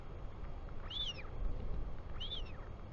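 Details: Royal albatross chick on its nest in New Zealand, 24 July 2020 near 4:06 pm, greeting its father; two high arched whistled peeps about 1.3 seconds apart over low wind roar.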